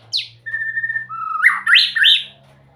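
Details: Melodious song of a white-rumped shama: a sharp high note, then a long steady whistle, then a lower whistle that rises into a loud, rich, warbled flourish.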